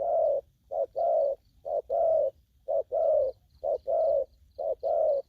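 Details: Aggressive spotted dove producing repeated pairs of coos, a clipped note then a fuller, level one, five pairs about a second apart, with a faint high tone behind.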